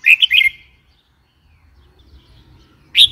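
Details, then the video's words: Red-whiskered bulbul giving a quick bubbly three-note phrase, then a pause and the start of another loud note, over quiet low rumble. "Red whiskered bulbul call 04"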